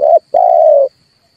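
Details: A single red turtle dove coo phrase from a trapping lure: a short hoarse note followed after a brief gap by a longer, slightly falling rolled coo, with a faint high hum throughout.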